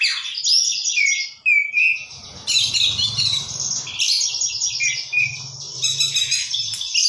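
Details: An oriental magpie-robin sings hard with a rich isian-filled song: high slurred whistles and scratchy warbled bursts in quick succession, over a low rumbling background noise through the middle and end.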